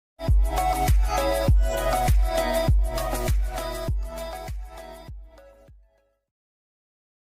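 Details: A short burst of rhythmic music with a heavy beat, fading out after about six seconds, with no animal sound.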